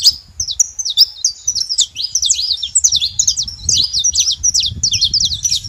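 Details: A steady, busy chatter of high, twittering chirps from saffron finches together, notes packed closely and overlapping, with low background rumble throughout.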